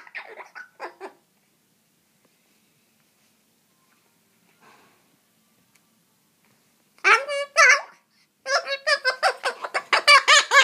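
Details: Pet cockatoo grumbling indoors in a small room while trying to scare away a mosquito: a few short raspy bursts, a long pause, then a string of harsh, harmonic, chattering notes in quick succession.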